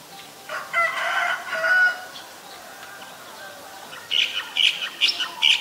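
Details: Black-collared starling, Ubon Ratchathani, Thailand, 17 April 2022: two grating, nasal phrases early on, a pause, then a rapid run of about five sharp, high clipped notes.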